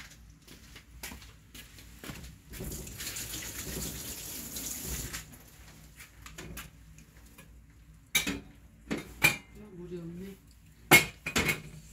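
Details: Water runs into a sink while dishes and cutlery clink sharply. A short murmur of a voice follows, and no animal calls can be picked out.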